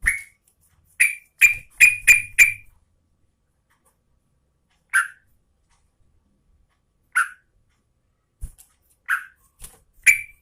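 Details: Female Yellow-vented Bulbul calling the male: a fast burst of five bubbly, slightly rising notes, then scattered single chirps after a pause, in a quiet setting.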